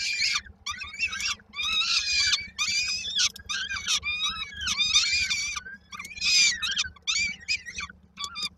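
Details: Begging of peregrine falcon nestlings in Koszalin, Poland, 19 May 2022, as they await the mother returning with food: a near-continuous, overlapping chorus of shrill, wavering, harmonic screeches with brief gaps and a faint low background hum.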